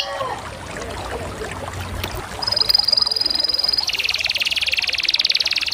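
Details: Canary song that opens with faint, muffled background noise, then a steady high trill from the middle onward, shifting into a fast, slightly lower, buzzing roll.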